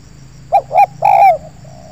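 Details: Spotted dove in an oil palm plantation, a wild bird cooing in response to a lure: one clear phrase, two short hollow coos followed by a long, gently falling coo, ending with a faint far coo.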